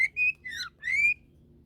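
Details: Pet myna giving three clear whistled notes, the first level, the second falling, the third a long rising whistle, with a low hum beneath.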